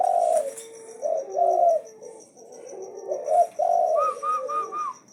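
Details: Asian pied starling singing nonstop in challenge: deep warbled phrases followed by a run of bright, evenly repeated arched whistles near the end, with a faint high ticking throughout.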